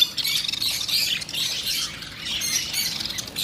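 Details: Lovebirds in continuous, high, squawky chatter, the harsh notes overlapping almost without pause.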